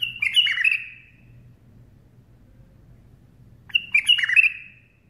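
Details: A bulbul perched on a hand sings two short, bubbly, chirping phrases about three seconds apart over a faint low hum.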